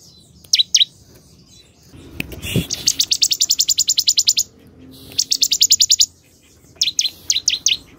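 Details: A Bar-winged prinia (Prinia familiaris) sings high, rapid bursts of sharp chipping notes, about eight a second, between paired chirps; a brief low thump is heard partway through.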